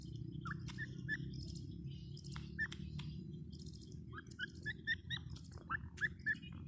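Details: Grey francolin notes, short and upward-inflected, come in scattered clusters, growing busier toward the end, amid steady low noise and high chirping from other birds.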